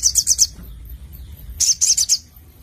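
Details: Crimson Sunbird (Sogon) in full song in a 'nembak nglaper' style: two quick bursts of very high, thin, rapidly repeated chips, three to four notes each, separated by a short pause over a low hum.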